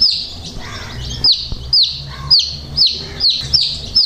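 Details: Colorful dyed domestic chicks peeping: loud, high, sharply downslurred chirps repeated roughly every half second, about eight in four seconds, over low background rumble.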